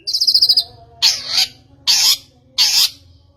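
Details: Long-tailed shrike lure sound for making a bird sing: a brief quick trill followed by three loud harsh rasping bursts about a second apart, over a faint low hum.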